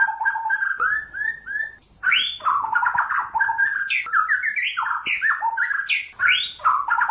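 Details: A white-rumped shama from Pasaman sings a rich, varied run of clear whistled phrases, some rising, some falling, with fast chattering notes between.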